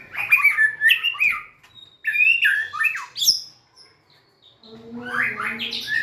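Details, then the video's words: White-rumped shama song during a display of dancing and tail wagging: two bursts of rich falling whistles separated by a short pause, then a third rising warbled phrase over a faint low hum. "Big Sound Birds Singing Chirping, Dancing And Beautiful Tails Wagging - Birds White-rumped shama"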